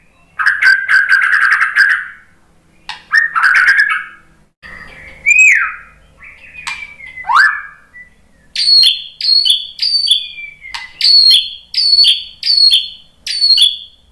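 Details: White-rumped shama singing in reply to a lure recording: a harsh buzzy opening, then loud whistled slurs and sweeping notes, ending in a run of bright repeated phrases roughly every second.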